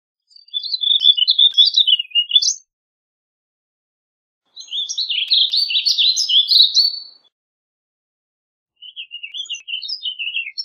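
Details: Three quick, jumbled warbling phrases from a warbling vireo, each lasting about two to two and a half seconds, separated by silent pauses of roughly two seconds. The notes tumble up and down, with some upward flicks. No background sounds.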